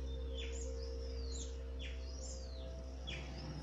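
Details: Wild backyard birds bathing in Pilicode village, Kerala, India, filmed on a mobile phone: repeated high descending whistled notes, about four a second, over a steady low hum.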